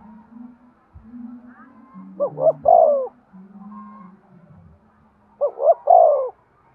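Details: Breeding-stimulation cooing of a spotted dove: two phrases several seconds apart, each with quick paired notes and a drawn-out mellow coo, alongside a low droning hum and faint knocks.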